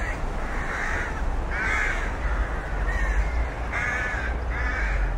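A rook gives four harsh, grating caws, about one every second, over a steady low rumble like wind or distant traffic.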